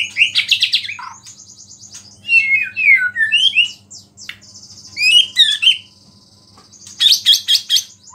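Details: White-rumped shama in full song, its sound said to provoke other shamas, with phrases of small-bird song worked in: bursts of bright, varied whistles and rapid trills, separated by brief pauses, over a faint low hum.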